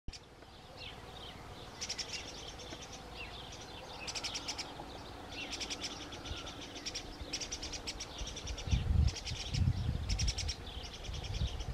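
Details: Thrush defending its nest on 17 May 2017 outdoors, giving faint, rapid dry chattering bursts in short repeated runs, with a low rumble of background noise growing louder near the end.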